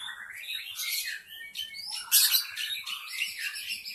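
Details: Forest white-rumped shama in a lure recording, singing a dense, high, twittering run of buzzy trills and rising whistled slides, with one sharp loud note near the middle.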